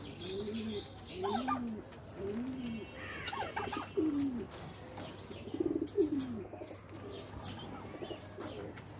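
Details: Several pigeons in a loft utter low, arching coos in quick succession, some rising and falling, over a steady low hum and scattered higher chirps.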